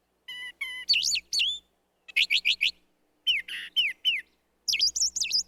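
Brown thrasher giving loud, varied whistled phrases, some notes quickly repeated in sets of two to four, high and bright, with brief pauses between.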